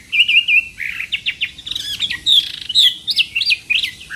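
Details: Chinese hwamei singing a competitive morning song as voice training, a rapid run of bright whistled notes, quick trills and sharp upward slurs delivered without pause.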